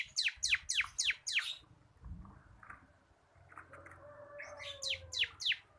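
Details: Local crystal kapas bar-winged prinia, a caged tutor singer for training other birds, gives rapid bursts of steep falling high notes, about four at the start and five at the end, with a soft long whistle between.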